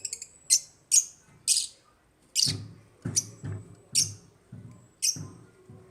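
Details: African lovebirds kept in an aviary chirp steadily, sharp harsh high notes repeated about twice per second, each with a low thud beneath, inside a small room.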